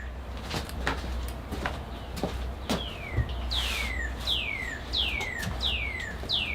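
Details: A Northern Cardinal near a bonsai greenhouse in April 2022 sings five clear, steeply down-slurred whistles in quick succession, over a low hum and scattered tapping and clatter as trees are moved.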